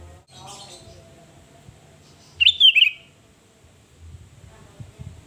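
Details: Sooty-headed bulbul song in a lively form used as a lure to provoke rivals: one short bubbly, warbled phrase of quick up-and-down notes lasting under a second, over a quiet background with faint low rumble.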